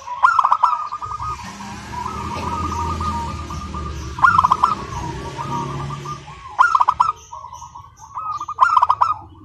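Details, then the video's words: Zebra dove of local stock in nonstop crystal-toned song: sharp staccato bursts separated by soft rolling trills, over a steady background hiss. "Perkutut Lokal GACOR SUARA KRISTAL MANGGUNG TANPA JEDA"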